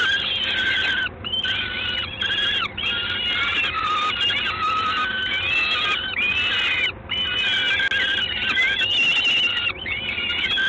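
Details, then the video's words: In Gdańsk, Poland, on 3 June 2016 at 19:47, a peregrine falcon gives a rapid series of harsh, harmonic, wailing notes. Bursts run about half a second to a second each and are repeated almost continuously over ten seconds. "Sokół wędrowny"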